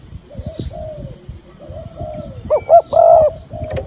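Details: Decoy spotted dove calling in the thúc gù style with a field-type voice, used to lure wild doves into a trap; soft low coos at first, then three loud, overdriven cooing notes near the end.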